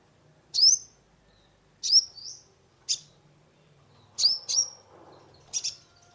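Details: Sunbird (kolibri ninja) singing as a lure to rouse a stressed caged bird; sharp high chirps with brief whistled tails, spaced about a second apart, with faint background murmur.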